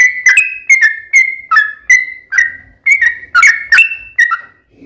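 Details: Yellow-vented bulbul singing a long rapid-fire lure song meant to set other bulbuls singing: a chain of short gurgling whistles, some rising and some dropping, delivered a little over two per second.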